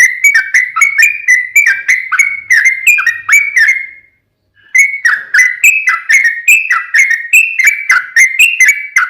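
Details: Long rapid-fire fighting song of a sooty-headed bulbul, used to make other bulbuls answer: fast bursts of sharp, slurred whistles run for four seconds, pause briefly, then resume slightly higher and quicker.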